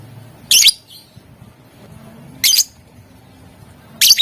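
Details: Lovebird singing vigorously in the ngetik and ngekek styles, meant to provoke rivals into answering; three brief, harsh, high-pitched bursts spaced about two seconds apart, with low background hum between them.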